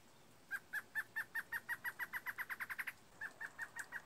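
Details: Large-billed Antwren singing a fast rattling series of short notes that speed up and grow louder over two seconds, then a brief pause and a slower run of similar notes.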